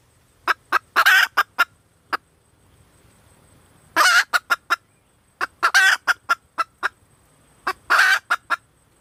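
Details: Female red junglefowl calling for a mate: bouts of sharp, rapid clucking clicks around harsh, buzzy, rasping bursts. Four such bouts arrive about every two seconds over a quiet background.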